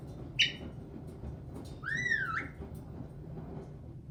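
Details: Caique parrot kept as a pet indoors: one short sharp chirp, then after a pause a curving whistled phrase that rises and falls before a lower steady tail, over faint room hum.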